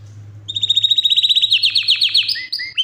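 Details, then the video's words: A Yorkshire canary sings a powerful rolling trill of quick, evenly spaced notes. The trill speeds up into a dense, buzzy run and breaks into short whistles at the end. A faint low hum lies under the start. "Yorkshire canary powerful non stop singing"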